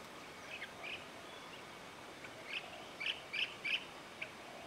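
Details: Pacific swallow at a tall, open perch shared with bee-eaters, where swallows rest and preen and one is chased off by another swallow; short high chirps, scattered early and then clustered in a quick run near the end.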